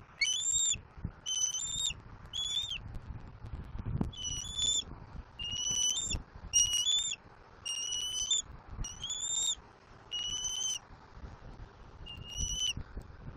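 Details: Young bald eagle on its Southwest Florida nest in April 2024, screaming while it claims a fish brought by its father. A steady series of short, piercing whistled squeals about once a second, over a soft background of low rumbling and knocks.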